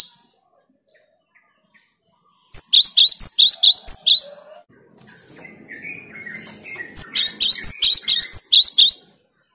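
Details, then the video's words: Cinereous tit (gelatik batu) in vigorous, clear song: two fast runs of high, ringing two-part notes repeated about ten times each. Between them comes a softer stretch of lower chatter and rustling. "Suara Gelatik Batu/Wingko Gacor Jernih bikin emosi LAWAN"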